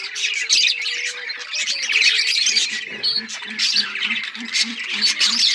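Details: A busy budgerigar chorus of high chirps and squawks, over a low sliding tone and then a run of soft low beats about four per second.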